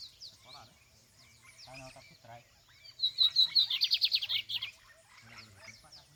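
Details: Lined seedeater (bigodinho) recorded in the open field: scattered soft chirps and brief Portuguese speech, then a loud, rapid, buzzy trill of about fifteen high repeated notes lasting nearly two seconds, followed by quieter chatter.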